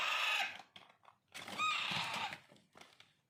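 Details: Alexandrine parakeet chicks, locally raw parrot, during hand-feeding: two rough, buzzy begging screeches, the second longer and wavering, followed by faint clicks and rustling.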